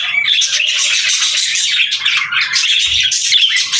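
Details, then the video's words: Budgerigar flock chatter: rapid twittering and grating squawks pile over one another in a constant cheerful babble, with a brief thin whistle near the start. "Budgies Chirping Sounds"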